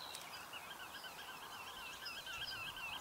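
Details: Northern lapwing near the Warta river mouth, Poland, giving thin, wheezy calls that waver and slur up and down in a high, almost continuous stream over a soft outdoor hiss.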